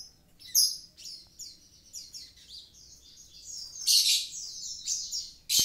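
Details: Javan pied starling in energetic song: a long series of high, falling whistled chirps, broken by a few loud harsh bursts and ending with a sudden click.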